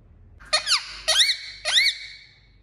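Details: Pet Indian ringneck parakeet giving three sharp, squeaky chirps about half a second apart, each a high note that sweeps down in pitch, in a quiet room.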